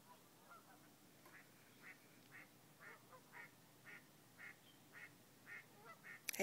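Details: Geese at sunrise over the Crab Meadow wetlands on a cold, misty Sunday morning, 11-4-2011. A steady series of short honks comes roughly twice a second, ending in a sudden loud thump.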